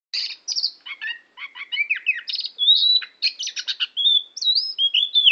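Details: Oriental magpie-robin singing at Tambakagung, Klirong, Kebumen: a varied, fast stream of chirps, trills and sweet slurred whistles that rise and fall, with few pauses.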